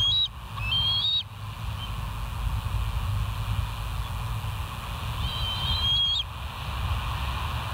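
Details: Bald eagles at West End, caught by a live nature cam on 8 August 2023 at 7:30; two bursts of high, thin whistled calls with a piping, slightly quavering tone, about four seconds apart, over a steady low rumble.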